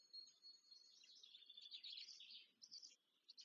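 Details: Nestling Black storks (Ciconia nigra) being fed, Łódź, Poland, 14 May 2023: a smeared, wheezy high squealing that swells in the middle and breaks into short squeaks at the end.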